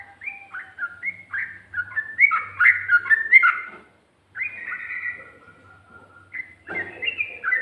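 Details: Sooty-headed bulbul singing in 'ropel' style with 'ngikluk' and 'garuda' phrases: a fast run of rich, gurgling whistles, a short silence, then a long slurred whistled phrase and renewed chattering notes.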